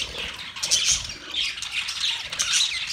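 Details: Mating budgerigars chirping: a short burst of thick, high-pitched warbling and scratchy chatter that swells and fades in waves.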